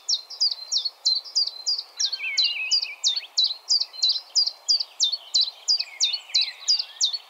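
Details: Common chiffchaff delivering a continuous string of crisp, descending chip-like notes about three per second, while another bird adds softer, lower twittering phrases in the background.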